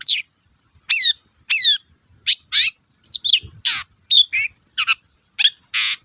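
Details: Long-tailed shrike's varied chattering song, played to spur quiet shrikes: sliding whistles, buzzy rasps and quick chirps follow in a rapid, irregular string.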